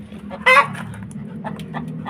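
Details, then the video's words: Hen calling after laying an egg: one loud harsh squawk followed by a string of quieter short clucks, over steady low background noise. "ito ang boses ng manok pag tapos na mag etlog"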